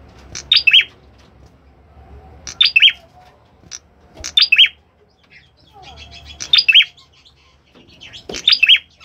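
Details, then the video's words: Active Orange-headed thrush delivering repeated short bursts of bright, descending slurred notes, about two seconds apart, with a few softer chattering notes and a brief low thud near the end. "Ciblek kepala merah gacor"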